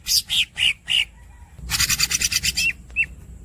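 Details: Greater green leafbird (green cucak) squeaking and rolling: four loud, harsh, squeaky notes in quick succession, a brief pause, then a fast rolling rattle of dense buzzy notes ending in two short upslurred whistles.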